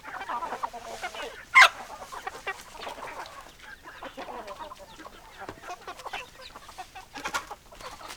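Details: Farmyard chickens clucking softly in a continuous low chatter, broken early on by one sharp, loud squawk; the clucks come in short, irregular bursts throughout.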